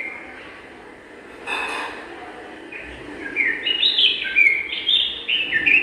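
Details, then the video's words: Bulbul pair at their garden nest while building it. A brief rustling burst comes first, then a run of fluid, chattering whistled notes that rise and fall, growing louder toward the close. "Pair of Bulbul preparing the nest with their lovable voice"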